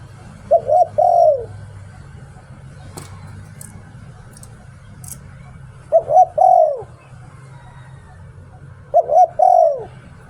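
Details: Decoy spotted dove in the "Liu Tan" song style. Three widely spaced phrases, each two brief coos and a long drooping coo, with a few faint clicks between them over a low hum.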